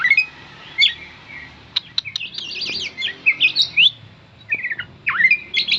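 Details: Oriental magpie-robin becoming angry after being called by its name, giving bursts of loud whistles, sharp clicks and rapid rising and falling chirps separated by short pauses.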